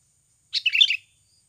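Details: Sooty-headed bulbul, a natural lure recording used to get birds singing quickly: one short bubbly phrase of rapid, chattering high notes lasting about half a second, against silence.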